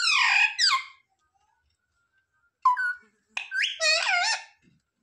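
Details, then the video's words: Talking parrot that copies words like "mummy papa": a squeaky two-part phrase, a long silence, then a short whistled rising note and a string of nasal, voice-like syllables. "Parrot talking mithu mithu 😱Mummy papa bolne wala mitthu"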